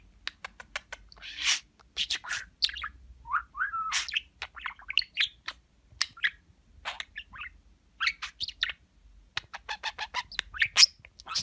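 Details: Talking budgerigar chattering indoors, a stream of rapid clicks, short buzzy bursts and warbled mimicked word-like phrases, uneven in rhythm.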